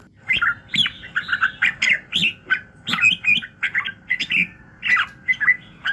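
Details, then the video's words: Red-whiskered bulbul morning song for voice training to fire up other bulbuls: lively, irregular whistled and chirping notes, nearly one per second, some rising sharply, over a quiet background. "luyện giọng Chào mào buổi sáng kích lửa hiệu quả"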